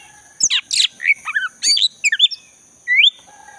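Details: Loud song of a wild black-breasted magpie-robin, a lure for caged magpie-robins gone quiet: rapid strong sweeping notes and twisted whistles, a pause, then one rising whistle, against a steady high background tone.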